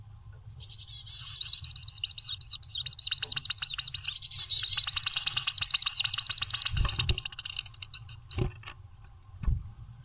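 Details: A female chickadee incubating eggs in a nest box calls for food from her mate, a long, rapid stream of high, thin, quivering chips and twitters, about four a second, then stops; a few soft thumps follow.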